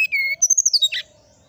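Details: Brown-chested jungle flycatcher singing in the morning: a clear, drawn-out whistle, then a lower slurred whistle, followed by a quick series of high, sharp whistled notes and a short buzzy ending, all over a faint steady hum.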